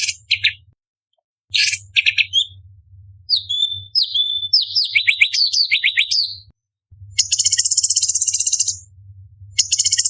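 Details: Orange-bellied leafbird, a competition-grade cucak cungkok singing in the sharp 'tembakan' style: bright chirps, then a string of slurred descending whistles, then dense high buzzy rattles. A faint low hum runs underneath.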